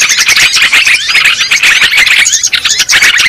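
Sooty-headed bulbuls chatter without pause, with bubbly, liquid notes and short squeaky phrases overlapping as if from several birds at once.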